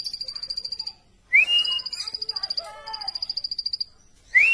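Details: Plain prinia giving rapid, even trains of high, thin ticking notes, about eight per second, broken by a short pause; loud rising whistled slurs cut in at the start and end, with some soft chatter in the middle.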